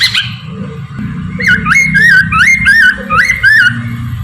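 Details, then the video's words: Morning song of a Chinese hwamei, used as a lure for trapping birds: loud, rich whistled phrases, each rising and twisting, repeated about three times a second, with a steady low hum behind. "kicau gacorr poksay Mandarin dipagi ampuh untuk pancingan dan pikat"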